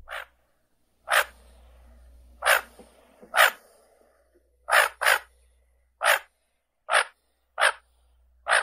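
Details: Common goldeneye giving short, harsh, rasping calls, single or in quick pairs, spaced about a second apart, with a low hum between some calls.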